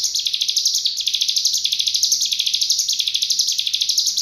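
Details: Unbroken, rapid cigun trill, 'full nembak' master song for murai, kacer and cucak ijo training; shrill buzzy pulses pour out in rolling waves of roughly two per second for the whole four seconds.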